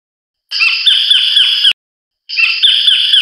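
Collared kingfisher giving two harsh, grating squawks, each about a second long, high and nasal with a rough edge, separated by a brief pause; nothing else heard.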